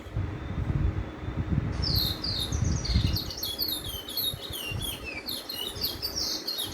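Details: Chestnut-bellied (lesser) seed finch singing the local Trinidad and Tobago bullfinch roll: a fast run of high, slurred whistled notes that starts after a low rumble and keeps tumbling along steadily.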